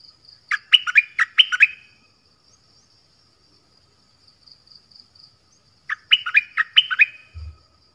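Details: Sooty-headed Bulbul sings two matching phrases about five seconds apart, each five or six fast, chirpy whistled notes dipping and rising, with quiet gaps between and a soft thump near the end.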